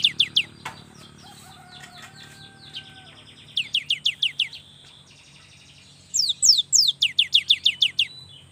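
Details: Repeated song bursts from a young cinereous tit: clipped falling whistles in groups, with a faint thin lower whistle between them and a longer rapid run near the end.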